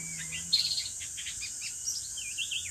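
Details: White-rumped shama deep in forest while trappers lure it: a varied, lively phrase of fast chirps and warbled notes, ending in looping whistles, set against a constant shrill insect chorus.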